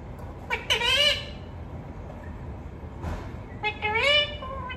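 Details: A parrot talking at home gives a bright, strongly harmonic word-like phrase, falls silent briefly, and adds a short burst. Then comes a longer rising two-part utterance at the end.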